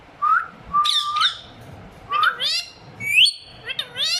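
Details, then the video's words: A pair of talking rose-ringed parakeets give speech-like Hindi/Urdu phrases such as "Mittu beta" mixed with shrill rising whistles and harsh squawks, about one burst per second. "My talking pair of ringneck parrot."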